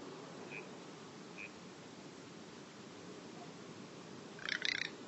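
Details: A male Garganey's nocturnal flight call: a short, dry rattling grunt, two quick clusters of clicks near the end, over steady background hiss with a couple of faint high pips earlier.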